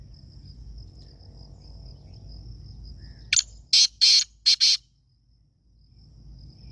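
A black francolin gives a loud, harsh phrase of about five grating notes in under two seconds, over a steady high insect whine and low background rumble.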